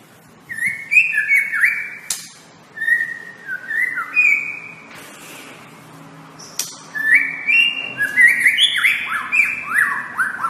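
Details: White-rumped shama singing loud, clear whistled phrases of stepped and falling notes, with bright high chips between them. A pause follows, then a fast, varied burst of downslurred whistles.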